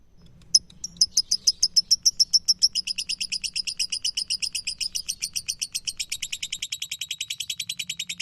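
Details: Lovebird ngekek song recorded as a master model for training other birds: after a loud opening note, a long, fast, high chattering trill of evenly repeated notes that grows denser and more steady, with a faint low hum behind.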